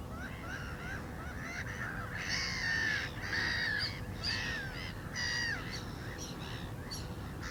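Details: Black-winged stilts calling loudly in irregular bursts of about one per second. Drawn-out nasal yelps drop in pitch, with sharper clicks mixed in, over low-pitched background noise.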